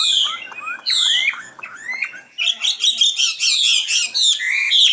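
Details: Common nightingale with sweeping whistled slurs rising and falling, then a rhythmic run of loud repeated chattering notes at high pitch.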